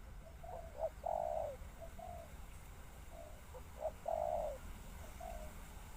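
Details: Spotted dove calling twice: each phrase has a few short, soft lead-in notes, then a long, hoarse, falling coo. Steady background hiss.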